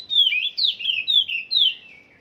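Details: Oriental magpie-robin at the song-training stage: five rapid, loud whistled phrases, each sliding sharply downward, packed into two seconds against a quiet background.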